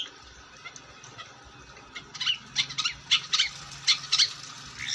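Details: Long-tailed shrike in lively song: after two quiet seconds, a series of harsh, scratchy chattering notes, irregularly spaced, over a faint low background hum.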